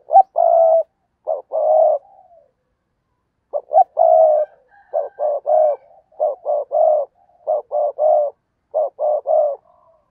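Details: Decoy spotted dove calling to entice wild doves, repeating rhythmic coo phrases over ten seconds. Short knocking notes lead into longer mellow coos, and the phrases grow quicker and more regular toward the end.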